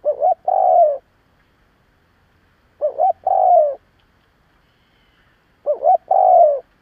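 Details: A spotted dove used as a lure for other doves repeats its coo three times. Each phrase is a pair of short bubbling notes, then a long, hoarse, descending coo, in a quiet setting.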